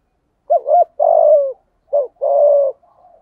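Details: Cooing spotted dove of the thổ, hạp bổi or cúc dinh song type, giving two mellow phrases: a doubled short hoot, then a long even coo, with a faint trailing note after.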